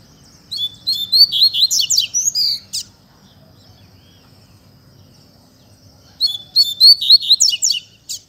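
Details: A caged double-collared seedeater, scratching before its moult, delivers two spirited fibra song phrases of rapid, high, metallic notes and sweeping slurs, roughly four seconds apart, with quiet between.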